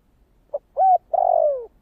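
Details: A spotted dove coos in the thổ kích bổi voice. The phrase has a tiny opening note, a steady arched coo and a long, slightly wavering coo that slides downward. The recording ends before a closing note.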